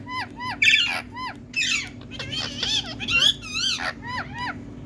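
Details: Indian talking parrot with natural green plumage: a busy run of loud, harsh arched squawks and screechy chatter, some notes falling, others rising and wavering, several grouped closely together, over faint low background hum.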